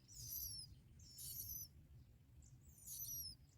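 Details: Young bar-winged prinias calling as both parent birds deliver black locusts; three bursts of shrill, high, downward-sliding squeaks a little over a second apart, with soft low rumbling noise underneath.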